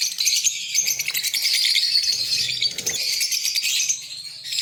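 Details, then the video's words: Breeding pair of green Fischer's lovebirds in Pakistan chattering continuously: a busy stream of shrill, overlapping chirps and squeaks with faint low rustling beneath. "Lovebird Singing & Chirping Sound- Green Fischer Pair Lovebirds breeding sound"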